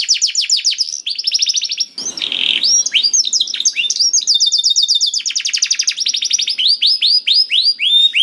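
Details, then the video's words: Lure song of a canary for getting a quiet canary singing: dense rolling trills and rapid repeated chips, broken by a short harsh buzz, then more fast trilled phrases. "PANCINGAN KENARI SUSAH BUNYI AUTO NYAUT GACOR TANPA HENTI || VOICE OF CANARY"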